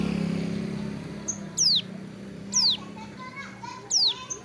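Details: Moulting hill prinia basking beside a road: three sharp, high, downward-sliding whistles about a second apart, with children's voices and faint other chirps in the background.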